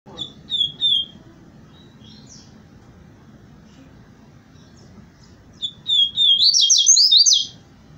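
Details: Free-living double-collared seedeater singing: a few short high chirps, then a quick burst of bright, twittering notes, over a low background rumble.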